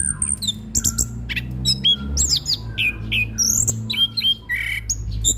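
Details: Anis kembang, the orange-headed thrush, in lively song to tutor young birds: rapid varied chirps, twisting high whistles and short buzzy notes over a steady low hum in the room.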